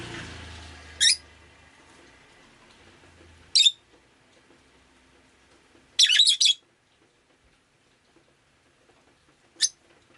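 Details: Rosy-faced lovebird kept as a pet, recorded on a rainy day: four high, shrill chirps spaced a few seconds apart, one a rapid stuttering burst, over faint room hum and a low rumble at the start.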